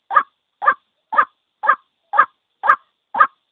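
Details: A lone white-breasted waterhen, in a recording meant as a trapping lure, gives seven rough, nasal notes evenly spaced about half a second apart against silence.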